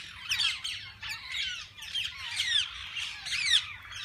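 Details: Parakeets of several kinds in a walk-in aviary at a parrot zoo, where visitors feed and hold them; dense overlapping squawks and chirps in short bursts roughly once a second, high and scratchy, with constant chatter from many birds.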